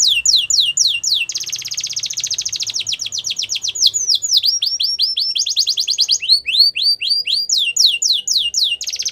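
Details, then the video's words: Yellow canary singing in the wild: high whistled notes sweeping downward in quick succession, then a dense rapid trill, then looping rising-and-falling phrases and another short fast trill, each phrase repeated several times; faint low hum beneath. "Yellow Canary Singing In The Wild"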